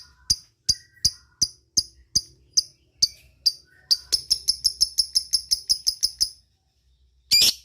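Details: Lovebird doing ngetik ticking while calling companions: spaced sharp clicks, each under half a second apart, speeding into a quick run of high chips, then a single rough burst at the end.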